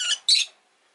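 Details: Rosy-faced lovebird, relaxed afternoon; two quick harsh, buzzy chirps in rapid succession, then silence.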